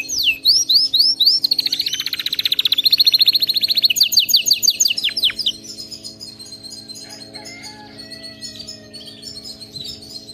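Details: Canary song meant to train other canaries: descending whistled slurs lead into a dense, buzzy high trill and rapid repeated sweeps, fading into softer scattered chirps in the second half.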